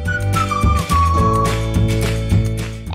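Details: Only instrumental music plays, a steady low drone under a breathy flute-like melody, with no bird calls.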